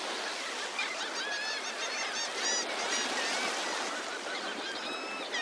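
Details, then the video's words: Many seagulls calling together by the ocean, overlapping harsh, nasal cries and mewing notes, high and busy, over a steady wash of surf. "Sea Gull Call ~ Seagull Sound ~ Seagulls Sounds and Ocean Waves"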